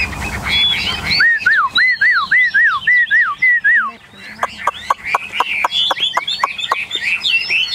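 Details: Caged, newly arrived Chinese hwamei, one of eight birds kept together in Vietnam, singing a run of clear rising-falling whistled notes repeated about twice a second, then a series of sharp dry clicks, with other birds faintly behind.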